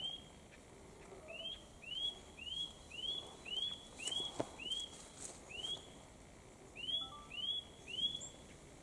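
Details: Eurasian nuthatch singing on Mount Kongō, a mountain where many nuthatches were present: a steady run of about twelve clear, upslurred whistles, each rising then briefly dropping, repeated roughly twice a second, with a short pause before the final few.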